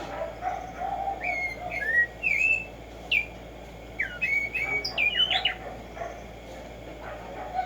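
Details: Tumba Yegua, the Black-striped sparrow, gives scattered clear whistles, some rising, some falling, with brief pauses between phrases and a faint hissing background.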